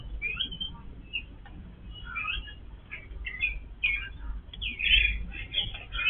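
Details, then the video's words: Members of a Yellow-billed babbler family call softly while eating together. The squeaky chirps start sparse and build into louder, rapid chatter near the end. "Family of Yellow-billed babbler eating in harmony"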